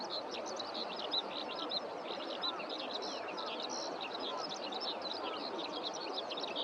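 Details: Eurasian skylarks singing over rice fields on warm spring days, several birds heard: a continuous high, rapid chirping and trilling warble running throughout, over steady broadband background noise.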